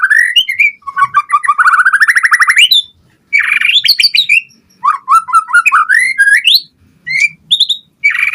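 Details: Energetic white-rumped shama song meant to provoke other birds into answering and to serve as a tutor recording: rich whistles, a fast rising rattling trill, then clipped chattering notes and bright warbles in rapid bursts.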